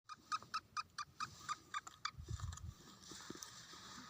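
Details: Eight-month-old young black francolin (kala tetar) in high spirits, giving a rapid series of harsh, evenly pitched notes, about two per second, fading out into low rumbling background noise.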